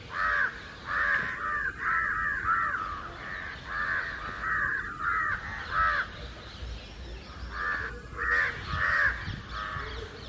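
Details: House crows together with jungle crows, many birds flying and cawing loudly against someone hidden in a tree; rapid, rasping caws overlap in irregular volleys, roughly one and a half calls per second, with short gaps between clusters.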